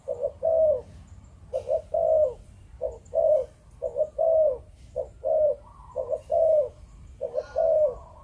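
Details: Malaysian-type spotted dove kept by Vietnamese hobbyists, repeating 'chụp chụp ô' coos rapidly: low, soft double notes each followed by a longer slightly falling coo, about seven phrases, with faint clicking behind.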